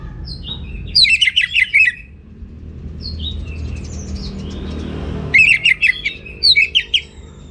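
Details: Orange-headed thrush song: two bursts of rapid, varied chirping phrases separated by a quiet pause with faint distant notes and low background rumble.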